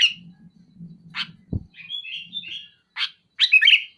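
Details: Sooty-headed bulbul singing loudly and densely, said to be pressuring a rival: short fluttering bursts, a sliding whistled phrase, then a fast chattering run of notes, with a soft low murmur and one dull knock.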